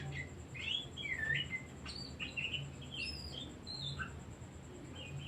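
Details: Oriental magpie-robin song used to spur other birds to sing: lively twisting whistles and chirps in rapid bursts, a thin steady high tone running throughout over low hum.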